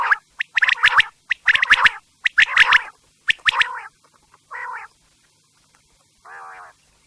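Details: Quail sounds for night: dense runs of sharp, rapid chirps in the first half, then isolated buzzy, nasal notes with silence between them.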